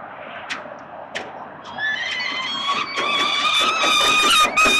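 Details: Peregrine falcon chicks at a Melbourne, Australia nest, fed by their father on 30 October 2021: quiet start with a few clicks, then a building stream of thin, high, harmonic begging wails growing louder.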